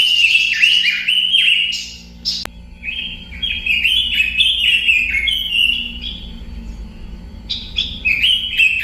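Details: Robin song: a lively, continuous run of high, quick, varied chirps and twittering phrases, rising and falling, with a brief pause near the middle and a faint low hum beneath.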